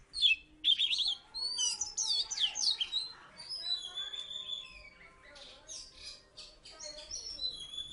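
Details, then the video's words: Oriental magpie-robin from Salatiga, once a third-place contest winner, pouring out a dense mix of sweeping whistles, buzzy notes and chatters, some overlapping, with faint low hum and possible voices behind. "Burung kacer salatiga gacor mantan juara 3"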